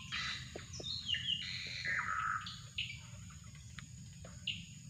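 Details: Drongo calling for luring birds, mixing long high whistles and descending slurred notes in a loud opening phrase, then sparser short notes, with an ongoing high insect hum and low rumble.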